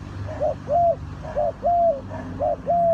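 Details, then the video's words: Spotted dove tied to bird trapping in Ninh Thuận, Vietnam, cooing in a steady rhythm of paired notes, a short coo followed by a longer flat hoot, repeated about three times, with mild low noise behind. "นกเขาใหญ่สายต่อดิน,The Sound Of the dove"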